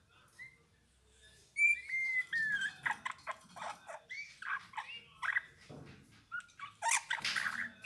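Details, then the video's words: Eurasian bullfinch song: after a quiet start, soft piping whistles and a descending whistled slur, then a run of short creaky, squeaky notes and chirps, steady and varied. "Chant bouvreuil pivoine"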